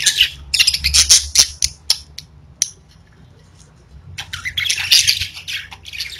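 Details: Several pet budgies chatter in quick, scratchy high chirps and sharp clicks, then fall nearly silent for about two seconds before another burst of warbling squawks, over a faint low hum.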